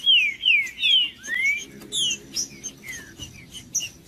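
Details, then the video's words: Green-winged saltator song for warming up a cold bird: several loud, clean whistles sliding downward, then one rising slur, followed by softer, shorter whistled notes, over a faint low background murmur. "TRINCA-FERRO CANTANDO / ESQUENTAR TRINCA FERRO FRIO"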